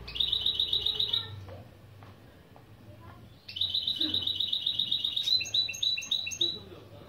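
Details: A goldfinch × canary mule sings lesson intro phrases: a quick rolling trill, a pause, then a longer trill of even repeated notes running into a series of higher chipping notes that step up and down.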